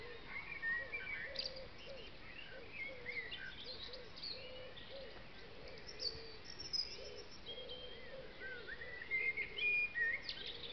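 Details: Great tits feeding at a bird feeder in a tipi in woodland give busy, high chirps and short whistled notes, with a steady string of lower, soft repeated notes underneath.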